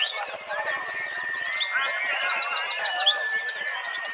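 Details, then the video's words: Wild-type white-eyes recorded by Android phone at a national bird singing contest in Trenggalek, East Java, several real birds mixed: a fast high trill for a second and a half, then overlapping sweeping chirps over a steady thin whistle. "simulasi lomba burung pleci!! untuk melatih mental pleci bahan biar cepet gacor ,terapi pleci macet!"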